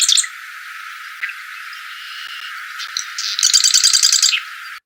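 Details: Marsh Wren, a small bird played back as an example of its amazing call: scattered high chips and a faint buzz, then a fast mechanical rattling trill of rapid repeated high notes near the end, with a brief music sting.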